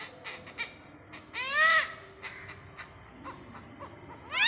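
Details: One loud, coarse, arched honk from a great hornbill visiting Pathanamthitta, surrounded by softer clicks and another call starting at the end.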